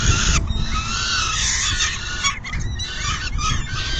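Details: At a peregrine falcon nest during a June 2022 feeding, a continuous grating, scratchy call runs almost unbroken for four seconds over deep wind-like rumble.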